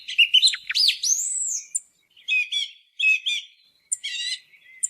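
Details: Song thrush on a hunting lure recording, opening with looping whistled slurs and a long arching note, followed by three repeated chattering, grating phrases with short silences between; nothing else audible.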